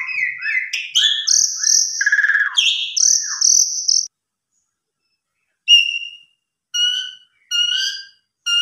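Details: Javan pied starling song played to make other starlings sing: four seconds of long buzzy whistles and slurred notes, then silence, then short clear whistled notes repeated about once a second.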